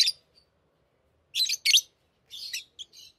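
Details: Tame pet lovebirds chirping indoors while playing with rings: a short harsh chirp, then a pause, then clustered scratchy high chirps in bursts near the end.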